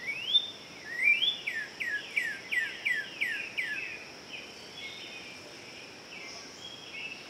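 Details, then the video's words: Northern cardinal in Central Park, Manhattan, New York, sings a quick run of about eight loud, slurred whistles, each sweeping down, then softer notes, over a steady high insect drone. "Northern Cardinal Song"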